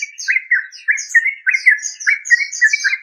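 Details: Yellow-vented bulbul, known locally as trucuk, giving a lively stream of bubbly, liquid chattering notes in short rolling phrases roughly every half second, each phrase dipping and rising slightly, with no other sounds in the background.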